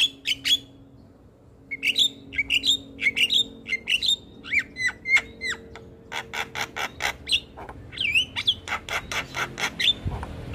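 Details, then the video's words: Black-winged myna (jalak kebo) in nonstop chattering 'gacor' song: harsh broadband squawks alternating with short slurred whistles, rising and falling, in quick uneven bursts under a faint steady hum. "Jalak kebo gacor Ngoceh tak Henti Henti"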